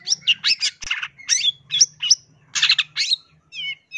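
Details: Long-tailed shrike song used as a lure for trapping wild birds: clear, varied bursts of harsh chattering and whistled notes in quick separate phrases, ending in short rising whistles, with a faint low hum beneath.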